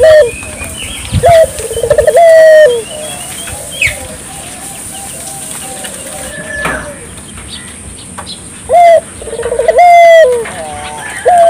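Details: A dove calling to set local doves calling. Two phrases of low cooing are heard, each a short note, a rapid trill and a long steady coo. Between them there is a quiet stretch with distant bird chirps and a brief flutter.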